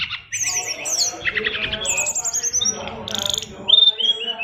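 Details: Oriental magpie-robin, a fighter bird in full 'isian luber' song packed with learned phrases: rapid buzzy and whistled phrases in quick succession, a long descending whistle series, and sharp high trills, over a faint low rumble.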